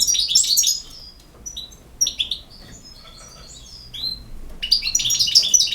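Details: Lively European goldfinch song: a dense jingling phrase, scattered sharp chirps and slurred whistles, then another rush of rapid high twittering.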